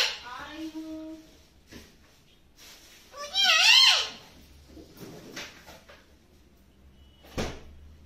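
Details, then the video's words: Talking pet parrot indoors in a small room: a few soft harmonic notes, then a loud warbling, wavering call in the middle, followed by scattered quieter sounds and a short sharp burst near the end. "Amazing Talking Parrot ਬਹੁਤ ਹੀ ਸੋਹਣਾ ਪੰਛੀ ਤੋਤਾ, ਮਿੱਠੂ , ਗੱਲਬਾਤ ਕਰਦਾ ਹੋਇਆ"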